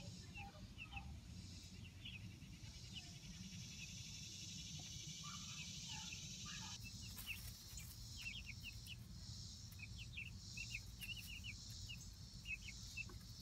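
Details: Roughly month-old Light Brahma chicks outdoors in their coop run, first introduced and enjoying playtime: scattered short, high, falling peeps in quick bursts, with some lower chirps and steady low background rumble.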